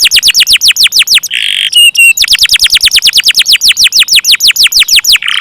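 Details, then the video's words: Canary pouring out a rolling song of fast, repeated down-sweeping whistles, broken briefly by a harsh buzz and thin high tones before the quick sweeping series resumes. "KENARI KOLABORASI GACOR NGEROLL PANJANG"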